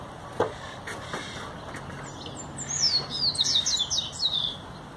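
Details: A tame pet goldfinch belonging to the owner's brother, which began singing only recently, gives a fast, twittering burst of high, sharply slurred notes, rising and falling in quick succession after a few scattered faint clicks.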